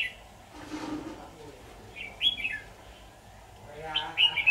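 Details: During red-whiskered bulbul trapping with a decoy bird on 23 October 2019, a murmur of speech gives way to two short, sweet warbled phrases, the second louder and more rapid.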